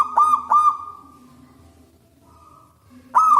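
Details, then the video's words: Zebra dove of a local wild strain singing loudly, used for luring doves: two short bubbling coo phrases, a quiet gap, then another rapid burst of clipped cooing notes. "PERKUTUT LOKAL ALAM GACOR SUARA BESAR DAN LANTANG"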